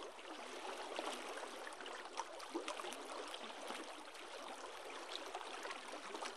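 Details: Soft, continuous rushing noise like moving water or wind, with small crackles throughout; no animal call is heard.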